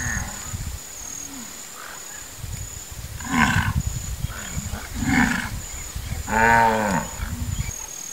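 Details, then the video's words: A wood stork in the Pantanal, Brazil, gives three harsh, hoarse croaking calls about a second and a half apart, over low background grunts and a steady high insect whine. "CABEÇA-SECA, CABEÇA-DE-PEDRA, (MYCTERIA AMERICANA), WOOD STORK"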